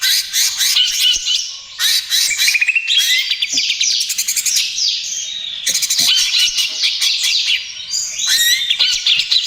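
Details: Lure and therapy song of a 'trotol' greater green leafbird: long loud outbursts of fast high trills, rising and falling whistled slurs, and rapid chip series, almost continuous with only brief breaks.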